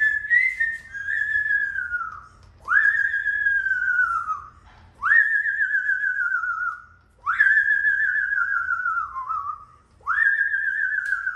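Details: Pet Amazon parrot indoors whistling a serenade so the door will be opened: long sustained whistles that swoop up then level and slowly fall, wavering slightly, repeated about every two and a half seconds, five phrases in a quiet small room.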